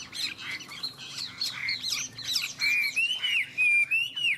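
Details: Contest singing by two Chinese hwamei, both without owners: harsher, squawky notes at first, then clear, long, wavering whistles repeated with short gaps.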